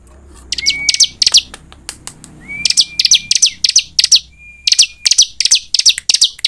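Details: Dense, rapid high chirping from a bar-winged prinia used as a singing lure, notes packed several per second, broken by thin steady whistles, over a low background hum.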